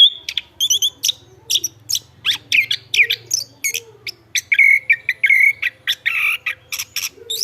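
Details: Chestnut-backed thrush in energetic song: fast bursts of high chirps and buzzy notes, then a run of steady whistled tones held near the same pitch, repeated several times.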